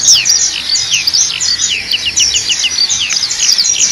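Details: ['Continuous high warbling of a black-capped white-eye, fast slurred whistles rising and falling in quick succession, heard over steady noise.']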